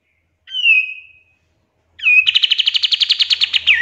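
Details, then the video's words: Pied triller song for training songbirds: a single falling whistle, a short pause, then a quick slurred note leading into a fast rattling trill of repeated notes. "PANCINGAN KAPAS TEMBAK FULL TEMBAKAN COCOK BUAT MASTERAN"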